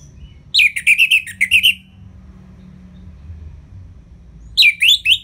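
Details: Ngeplong song of an Orange-headed thrush for stimulating lazy birds: a run of rapid whistled, chattering notes, a silence, then a short whistled phrase.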